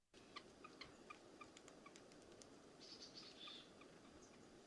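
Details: Red-breasted Nuthatch giving quiet contact peeps, as used between birds within a flock: soft, nasal little peeps, several per second, spaced irregularly, over a steady background hiss.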